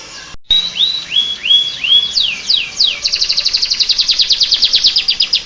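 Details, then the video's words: Canary with ciblek-style song copying the Bar-winged prinia: a few rising whistled upsweeps and sharp downslurs, then a long, steady, very fast trill of high chirps. "Suara kicau burung kenari rasa ciblek"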